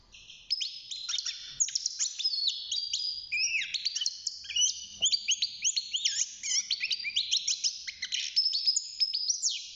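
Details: Young European goldfinch kept in a cage, starting to sing at six months, pours out a sustained, dense stream of liquid trills, twitters and looping slurred whistles.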